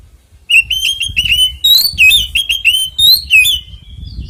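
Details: Oriental magpie-robin fighting song, 'ngeplong tarung konslet' style, played to spur other kacer into song; after half a second of quiet, a rapid string of loud whistled notes about three per second, ending in a thin trailing whistle.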